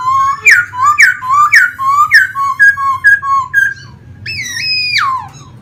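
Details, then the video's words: Singing caged laughingthrush that dances with spread feathers; a steady series of about eight loud downslurred whistles, one every half second, then a long, level, stepped whistle ending in a falling slur. "em khướu hót múa xòe như máy bay"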